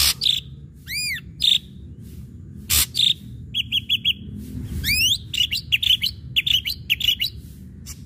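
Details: Ashy drongo in lively song, used as a lure to provoke other birds to sing: high arched whistles with stacked overtones, a few sharp clicks, a rapid series of short bright notes, then a mixed jumble of chips and rising slurs.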